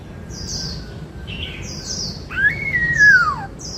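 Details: White-cheeked laughingthrush kept as a songbird, 'bắt cô trói cột' singing style: one clear whistle that jumps up and glides slowly downward over about a second, while thin high chirps from other birds repeat in the background.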